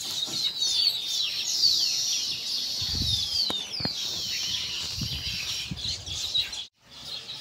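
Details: A pair of pet Zebra finches keeps up a dense, high chatter of quick nasal chirps and squeaks.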